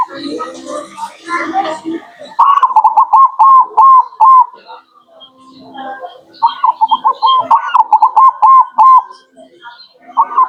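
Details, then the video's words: Local zebra dove song used as a lure. A jumble of voices and noise gives way to two long runs of rapid, bubbling coo notes, each run lasting about two seconds, separated by a quiet gap. "Pancingan burung perkutut lokal Anti GAGAL"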